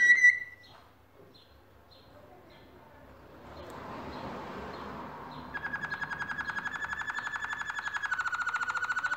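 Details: Canaries at work on a nest: a few soft chirps and a quiet rustling stretch, then a long fast trill of repeated notes that drops slightly in pitch toward the end.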